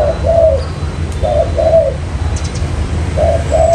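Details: Cooing of a spotted dove, a 'mailai' lure recording meant to draw in wild birds for trapping: three soft paired coo phrases, a brief note followed by a longer rolling one, over steady low hum.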